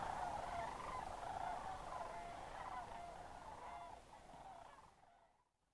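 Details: Sandhill Crane chorus from the October migration at Crex Meadows State Wildlife Area, Wisconsin, at evening or early morning; rolling bugled calls from many birds, louder at first, then thinning and fading out near the end.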